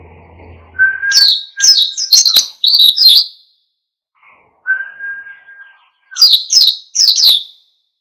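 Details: Oriental white-eye (pleci), a lively bird in full song meant to provoke other birds into singing; bursts of high sweeping chirped notes in two groups, with a steady whistled tone and a low hum between them.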